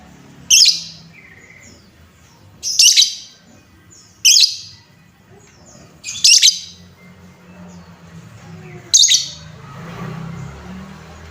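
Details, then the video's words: Lovebird calls meant to provoke other lovebirds: five piercing, raspy chirps spaced roughly two seconds apart, with a low background hum that rises toward the end. "Suara pancingan lovebird"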